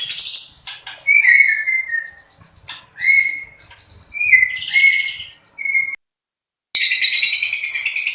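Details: Long-tailed shrike delivering varied song: a string of short clear whistles, some sliding downward, mixed with scratchy notes and gaps, a sudden silence, then a loud continuous harsh high-pitched rattle.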